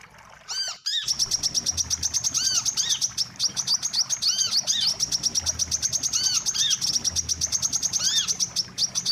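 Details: Wiceh call as a lure for catching birds: a short pause, then a sustained fast series of shrill chirps, overlaid by recurring bold, bowed calls every second or two.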